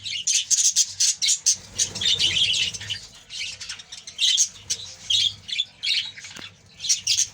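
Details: Budgerigars in a colony calling in quick, high squawky notes and chirps, repeated in choppy bursts with overlapping voices.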